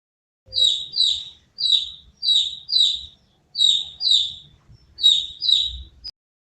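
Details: Young chicken chick peeping: high, downward-slurred cheeps given in pairs, about nine calls in total, each loud and clear against silence, with faint low thumps underneath.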